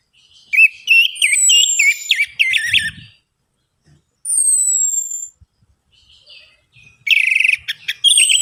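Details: Orange-headed thrush lure song: an opening stretch of rapid, looping, bubbly notes, a clear downward whistle, then another loud burst of quick repeated phrases, with a few faint low taps.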